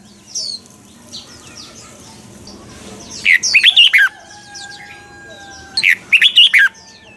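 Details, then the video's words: Red-whiskered bulbul in captivity singing a mature wild-type double-note song for voice training, morning; two rich warbled phrases about two and a half seconds apart, preceded by a faint single chirp. "luyện giọng cho chào mào sáng, Hót hay nhanh căng. chào mào hót âm kép già rừng hay tuyệt!"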